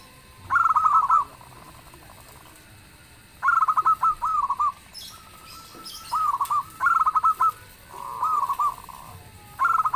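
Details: Local zebra dove in full, loud song that sets other birds answering: five bursts of fast, stuttering trilled coos spaced a few seconds apart, some phrases higher and choppy, others lower and smoother, over a quiet background hiss.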